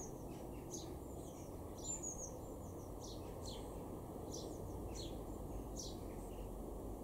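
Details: A male house sparrow in a garden in Weener, East Frisia, far northwest Germany, in February 2023, gives short, bright chirps at an uneven pace, about one or two a second, over a steady low rumble.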